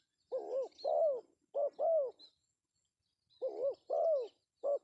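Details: Male spotted dove calling, a call used as a lure: soft mellow coos in paired and grouped notes, a phrase, a pause of about a second, then the phrase repeated; faint high chirps of other birds.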